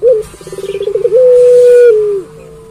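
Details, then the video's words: Puter pelung dove, a caller used as a training model and lure for other puter pelung: a fast stuttering run of pulsed coos slides into one long, steady, low hooting note that tails downward and stops. "Burung Puter Pelung Gacor Bunyi Terus"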